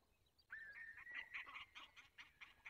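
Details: Peregrine falcon recorded in the Barycz Valley at 8:20 on 24 April 2021. A drawn-out nasal whine breaks into a quick series of rough, clipped notes.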